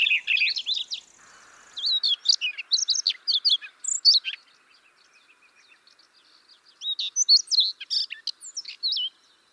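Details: Siberian rubythroat song for luring birds into traps, with scattered bright whistled slurs and sharp chips in two active stretches separated by a quieter interval of several seconds.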